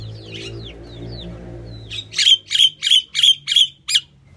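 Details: Calling female Indian myna: a few soft whistled downslurs, then seven loud, harsh, grating notes repeated evenly about every third of a second, over low background hum.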